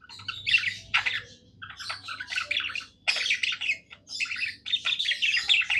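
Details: Pet budgie singing happily, a continuous scratchy chatter of buzzy and squeaky notes in bursts separated by short gaps.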